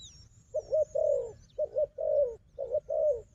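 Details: Wild dove, described as a strong fighter, calling against a strong decoy dove: three paired coos, each a short note then a longer, slightly falling coo, with a faint high thin whistle above.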